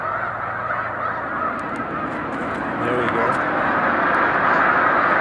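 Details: Massed snow geese taking flight as a boater comes close, March 2021; a thick chorus of honking grows louder as a rushing roar, likely from many wings, swells in the second half.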